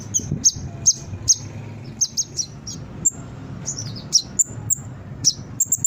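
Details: Brown-throated sunbird song to lure and train birds: sparse high whistled chips and short tones, repeated roughly every half second, some sliding downward, low hum behind.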